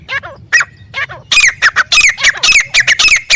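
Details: Grey francolin calling loudly in the wild: harsh, squawking repeated notes in a fast rhythmic series, several per second, after a few lower grating notes at the start.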